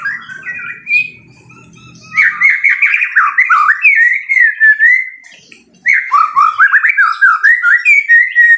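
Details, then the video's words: Loud fighter-style white-rumped shama song: a soft opening whistle over a low hum, then fast, strongly modulated warbling phrases, a short gap, and more rapid choppy notes. "MURAI BATU FIGHTER TEMBAKAN KERAS"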